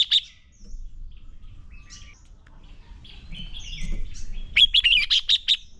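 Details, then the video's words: Red-whiskered bulbul fighting song used for training: scattered faint chirps at first, then a loud rapid run of sharp, clipped notes near the end. "Chào Mào Hót Đấu Kích Bổi Lên Lửa. Luyện Chào Mào Sổ Giọng Hót Căng Lửa."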